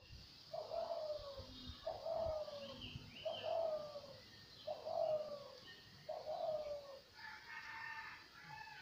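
A dove gives low, soft hooting coos, five phrases about one and a half seconds apart, with faint twittering of small birds behind.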